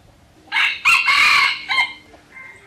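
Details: Wild junglefowl kept near a pagoda by Teuk Chob Khnar Po Community Forest, Siem Reap, Cambodia, crowing loudly and harshly in three bursts, the middle one longest, then a short faint trailing note; quiet background otherwise.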